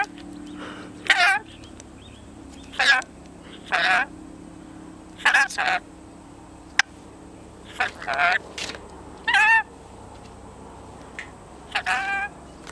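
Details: Ten-month-old male red-collared rainbow lorikeet, a pet that interacts with humans, talking: a series of short, harsh, wavering voiced bursts, each about half a second long, spaced irregularly over the recording, with quiet room background between them.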